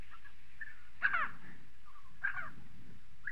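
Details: Spotted sandgrouse from southern Morocco giving two loud, rasping, harmonic-rich calls about a second apart, with softer clipped notes from other birds between them over a low rumble.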